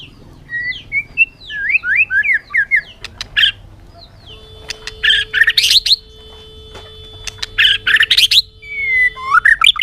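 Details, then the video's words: Bird giving varied chirps, fast falling twitters and short buzzy bursts in uneven groups, with a steady low hum running through the middle of the recording. "suab noog quaj zoo heev"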